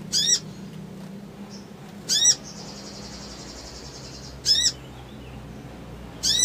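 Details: Male Crimson sunbird in a provoking lure recording for fast response: isolated sharp high arched notes every two seconds or so, with a buzzy high whine between them and low background hum.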